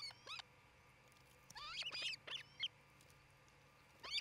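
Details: At an osprey nest near tree-top homes in Charlo, Montana, near midday on 27 June 2018: two thin chirps, then a hurried, excited run of rising and falling whistled yelps with harmonics, before a final yelp.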